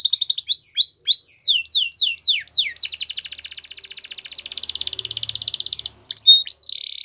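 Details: Canaries singing: a varied run of quick downward-slurred whistled notes, then a long rapid rolling trill, ending in short sharp chirps and a steady buzzy phrase.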